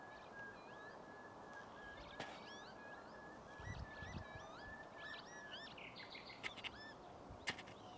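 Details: Northern lapwings at Ljubljana Marsh, Slovenia, on 22 April 2024 give faint, wheezy, slurred calls that rise and fall, scattered over a steady high drone with a few low thumps of wind.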